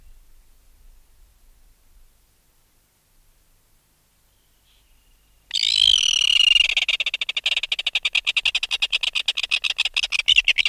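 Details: Red-billed tropicbird adult removed from its nest giving alarm calls, recorded close up: after about five seconds of near silence, a harsh, rapid rattling of shrill notes begins abruptly and continues as a fast regular clicking series.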